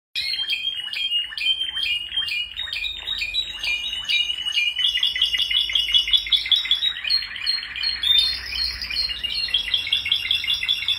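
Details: Several male Spanish Timbrado canaries singing together: dense, continuous rolling trills of rapidly repeated notes, about two or three per second in pulses, with a low background hum.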